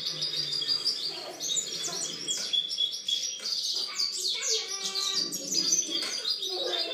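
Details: European goldfinch singing in a 2013 recording: sustained high, rapid twittering and chirped phrases with brief buzzy notes and a few lower tonal sounds.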